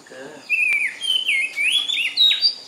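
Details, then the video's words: A singing magpie delivers a continuous, high warbling song of whistled, sliding notes that rise and fall in short connected phrases. A faint, low buzzy note precedes the song. "喜鹊报喜 Singing Magpie"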